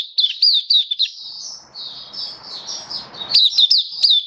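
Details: Oriental white-eye in a hobby setting, recorded 27 October 2022, gives quick high chirps, a stretch of thinner sustained twittering over noticeable background hiss, then another burst of bright slurred notes.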